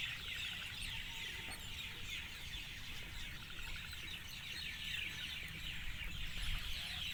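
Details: Evening gathering of birds producing a busy, unbroken chatter of high, slurred chirps, with a persistent low-pitched background noise.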